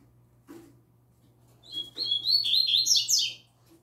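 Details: Young double-collared seedeater, kept in a cage, singing its occasional "tui tui zel zel" song alongside other caged birds. Two soft clicks come first, then a firm, high phrase of quick slurred notes ending in buzzy rising trills.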